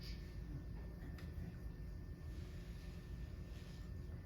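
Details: Steady low rumble of a passing vehicle or aircraft, with no animal calls.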